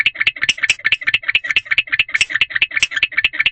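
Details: Inside an owl box before dawn, about 4 am, a male barn owl keeps up its chirping calls, February 2023. Rapid dry clicking notes, some slightly louder and brighter, follow one another at a brisk, steady pace.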